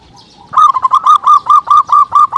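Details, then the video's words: Lure call of a local zebra dove (perkutut), meant to get other birds calling: a half-second pause, then roughly eleven strong, clipped cooing notes repeated at a steady quick pace. "pancingan perkutut lokal"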